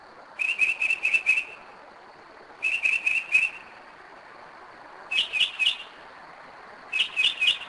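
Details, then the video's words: Northern mockingbird singing in the small hours, 2am, Kennesaw, Georgia: rapid trains of four to six identical notes, then a switch to a different rising note type, phrases separated by pauses. "Mockingbird 2am 2011"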